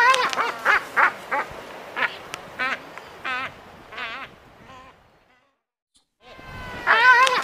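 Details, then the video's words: Albatross screaming: a run of harsh, wavering, nasal calls in quick succession, some rising and falling, followed by a brief silence and then a louder burst of calling. "Albatross Sound | Albatross Screaming"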